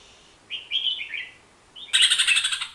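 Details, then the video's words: A bulbul (merbah jambul) gives a short, bright warbled phrase, then after a pause a loud, harsh, rapidly pulsing chatter of about eight notes a second. "Suara Kicauan Si Merbah Jambul"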